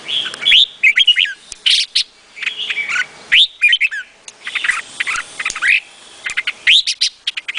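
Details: Red-whiskered bulbul delivering repeated bouncy phrases of rising and falling whistled notes, each burst about a second long with short silences between, keeping a steady, lively rhythm throughout.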